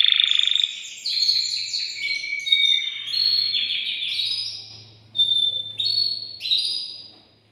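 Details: Agitated male canary in a cage, singing to rouse a female for mating and to teach young birds; bright whistled and trilled phrases stepping between pitches, with short pauses and a faint low hum beneath.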